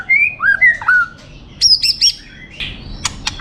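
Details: Champion competition white-rumped shama singing: clear slurred whistles falling and rising, then a quick run of high bright notes and a few sharp clicks, with brief silent gaps between phrases.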